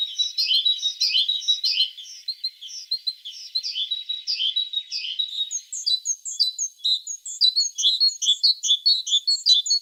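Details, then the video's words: Singing tit with a steady stream of high, sharp chirps and twittering notes, rapid and somewhat irregular, growing busier and more clipped toward the end. Nothing else is heard. "The sound of a tit singing"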